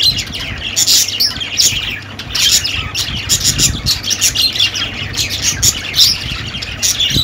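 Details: Busy budgerigar chatter: rapid high chirps, squeaks and warbles packed tightly together, rising and falling in loudness every second or so, with a faint low hum underneath.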